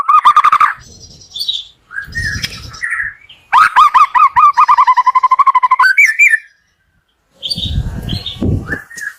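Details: White-rumped shama morning song, used to stimulate lazy shamas: loud whistled phrases and harsh notes, then a fast run of repeated looping whistles, a pause, and more varied calls.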